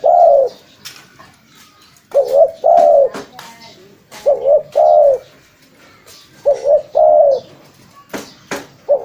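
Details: Spotted dove, offered for luring birds, giving low mellow coos: short double-noted phrases ending in a longer warbled coo, three phrases in nine seconds, with sharp clicking knocks between them.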